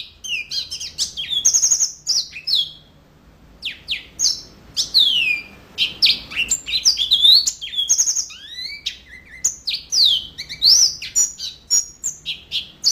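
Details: Yellow-fronted canary pouring out a long, vigorous song of bright chirps, descending whistles and brief rattling trills, one short lull midway before the rapid phrases resume.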